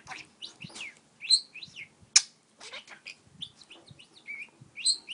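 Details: Parakeet kept as a pet, flirting with a stylus: short high chirps, warbled twists and a sudden sharp click-like squeak amid steady chatter.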